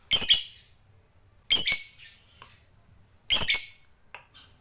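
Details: Three harsh, shrill lovebird squawks, each a short bright burst separated by quiet gaps of nearly two seconds, with a softer chirp at the end and a low background hum.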